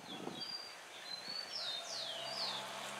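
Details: Double-collared seedeater singing free in nature, southern regional song style from Paraná, Brazil: a series of clear, high whistled notes, some sliding downward, spaced irregularly over a steady background hiss.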